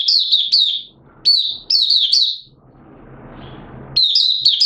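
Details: Caged Malaysian Oriental white-eye in minor moult, recorded 2 April 2023, giving buka sing: high, thin warbled bursts of quick slurred notes, repeated in short phrases with pauses, and soft background hiss between phrases.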